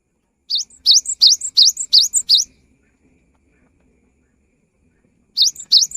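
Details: Cinereous tit singing prolifically, used to prompt mute birds to sing: one quick burst of about six high, rising whistled phrases, a three-second pause, then the song resumes.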